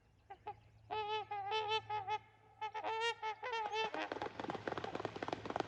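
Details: Trumpeter swans at Rifle Lake on April 28, 2020, during takeoff; a dense series of loud nasal trumpeting honks, many overlapping, followed by rushing splashing and wingbeat noise as the birds lift off.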